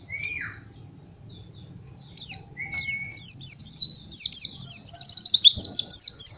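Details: Master song for teaching young white-eyes to sing 'nembak': opens with a sliding whistle, scattered high notes and another flat whistle, then builds into dense, very fast high trills; faint low background hum throughout.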